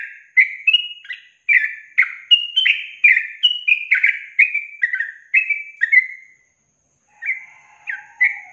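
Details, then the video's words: Yellow-vented bulbul training song in long-trill style: a dense run of warbling liquid notes for about six seconds, a brief silence, then three more chirps. "Masteran Trucukan Ropel Panjang Garuda Tembakan"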